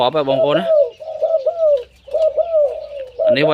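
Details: Zebra dove with a loud voice gives a run of short, mellow, wavering cooing notes for about two and a half seconds. A man talks before and after the calls.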